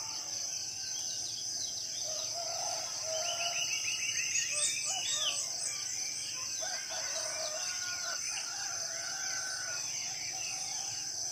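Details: Morning bird chorus deep in a tropical forest of Southeast Sulawesi. A rapid chattering trill comes first, then scattered whistles and a drawn-out mid-pitched note, over a continuous high insect drone.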